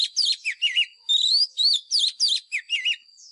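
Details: Oriental magpie-robin, a wild bird, in a fighting song used as a lure for training: dense run of swooping, looping whistled notes about twice a second, some low warbled dips, with a continuous high tone behind.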